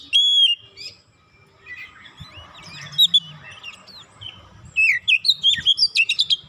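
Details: Provoked Oriental magpie-robin (kacer) singing emotionally through its isian, or learned fill phrases: a bright opening whistle, softer warbling and scattered notes, then a burst of rapid, rhythmic chips and whistled slurs at the end.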